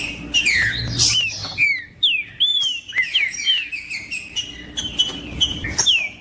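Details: Green-winged saltator song in the 'macheando' style, used to excite other males: loud rich whistles opening with a falling slur, then a run of looping, arching notes and short level whistles in a lively sequence.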